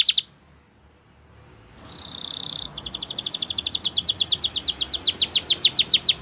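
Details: Champion canary song meant for training young singers: a short high note, a pause, a buzzy sustained burst, then a fast run of downslurred whistled notes about four per second, growing louder.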